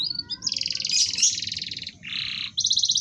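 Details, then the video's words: Canary singing to stimulate other canaries: long dense buzzing trills at high pitch, a lower harsh rattle, then another bright trill, over low background noise. "pancingan kenari ampuh wit wit werrr ngerol kenari mana yang diam setelah dengar suara kenari ini"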